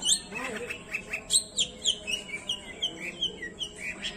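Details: Long-tailed shrike; song; stirring up other shrikes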